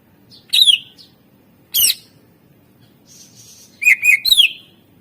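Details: Greater green leafbird in a rich, varied song meant as a lure: a few loud, sweeping slurred notes with descending overtones, separated by pauses, ending in a quick jumble of whistles.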